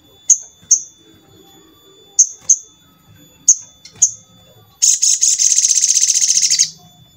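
A Crimson Sunbird gives sharp, very high chips in twos and threes, then a fast, buzzy trill lasting almost two seconds.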